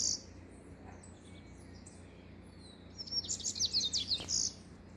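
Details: Rusty-collared seedeater singing: after a stretch of quiet background hiss, a short burst of high, rapid twittering notes runs for about a second and a half near the end.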